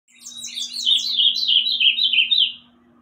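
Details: Bananaquit singing a high, thin, buzzy run of rapidly repeated wheezy notes that slide slightly downward over about two and a half seconds, with a faint steady low hum underneath.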